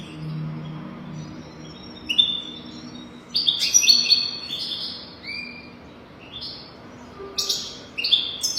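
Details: European goldfinch singing on a training recording for young goldfinches. Scattered high chirps give way to clustered, liquid twitters and short buzzy notes, with quiet gaps and a faint low hum early on.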